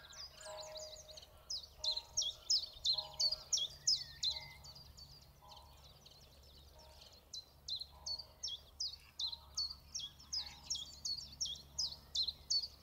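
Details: Common chiffchaff at Zouweboezem, Netherlands, recorded on a weekend as chiffchaffs arrived back en masse, singing two bursts of high, evenly spaced chiff-chaff notes, about three per second; faint lower whistles from another bird behind.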